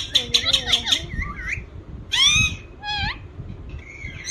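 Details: Ringneck parrot, a talking green parakeet, gives a quick series of five clipped high notes, then a few looping squawks with pauses, fading to softer calls at the end.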